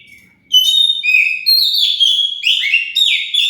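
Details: Lure song of an Oriental magpie-robin meant to provoke replies: after a quiet start, a continuous stream of clear whistles at varying pitches, with a long sustained note and rapid, warbling, scratchy phrases.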